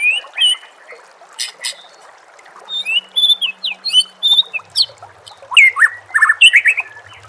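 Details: White-rumped shama song, a recording for training captive birds, set with nature sounds and trickling water: varied clear whistles, sharp upslurred notes and quick rising and falling phrases. Some bursts are loud, with a faint low hum beneath.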